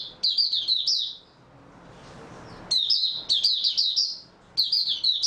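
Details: Mata puteh (white-eye), 3 March 2022: shrill, fast chattering warbles in clustered phrases, with a brief lull and then three more rapid bursts in close succession.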